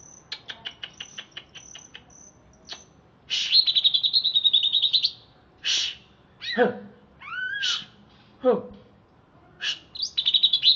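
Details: Greater green leafbird from Alas Purwo, Banyuwangi, after bathing: a series of thin ticking chips, then a rapid high chattering phrase, followed by loud downward-sweeping slurred calls and varied whistles, ending in another fast chatter.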